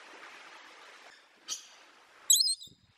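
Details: Macaw parrot calling: after a soft, noisy hiss, one short harsh squawk, then a louder, raspy, high-pitched screech lasting about a quarter second.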